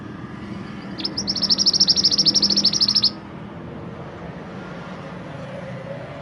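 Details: Mantenan gunung's shrill, rapid trill of many closely spaced notes lasting about two seconds, set against a steady low hum.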